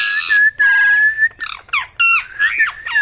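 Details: A parrot holds a long, flat whistle, then breaks into quick, rough syllables that rise and fall like imitated words, with a final upswept whistled note.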